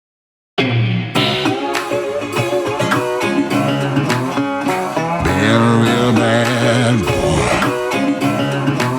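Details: Guitar-led music with plucked strings, a steady beat and sung or sustained melodic lines throughout, starting after a brief silence; no animal sounds are heard.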